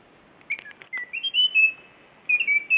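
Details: Endemic Munchique wood-wren (Henicorhina negreti) at La Mesenia, Western Andes Chocó, July 2013: a few sharp ticking notes, then clear, high, slightly wavering whistles, steady or gently rising, in short phrases.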